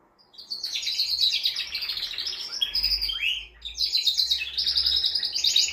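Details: Male canary singing to excite a female for mating: sustained bright rolling trills, a slurred dip in the middle, then another loud rapid trill, with a low hum in the background.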